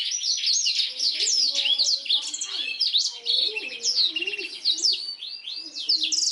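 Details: Black-throated canary used for training canaries, singing a continuous energetic song of rapid trills and sliding whistles, with soft lower tones faintly audible underneath.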